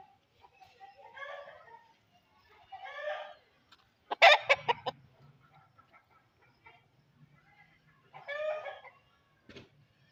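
An Aseel rooster gives three short, hoarse, harmonic calls about a second long, spaced a few seconds apart, with a burst of loud clattering thumps in between.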